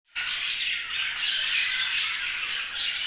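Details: Budgerigar making happy sounds: a dense, continuous chatter of high warbling chirps and squeaky notes with no pauses.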